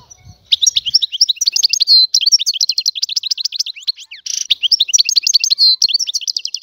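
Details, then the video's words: Song of a free European goldfinch of the Algerian type: long run of rapid twittering, trilled notes and a few nasal buzzes, continuous and energetic throughout. "تغريد طائر الحسون الحر"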